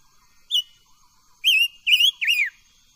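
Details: Silver-eared mesia kept as a cage bird, singing in voice training: a single short whistle followed by three strong rapid whistled notes, the last one wavering and falling in pitch.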